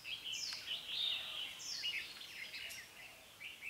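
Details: Decoy red-whiskered bulbul singing in competition to draw wild birds toward a trap, 5 September 2017; quick chirpy, warbling notes, with sharp whistled slurs tumbling one after another almost without pause.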